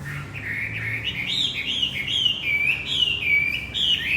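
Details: Javan white-eye song played as a lure for a male that stopped singing: a continuous, rapid chatter of high warbling notes that climbs slightly, over steady low background hum.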